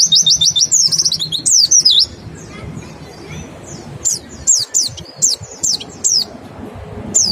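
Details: Mountain white-eye 'nembak' singing with a 'ngecal' lure to spur quick song: an initial rapid twittering run of high notes, then separate, sharp, descending whistles spaced about half a second apart.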